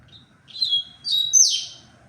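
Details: Song of a double-collared seedeater, tui-tui style, recorded 23 February: a short high whistled note, then a louder descending slurred burst ending in a buzzy sweep, with a quiet low hum beneath.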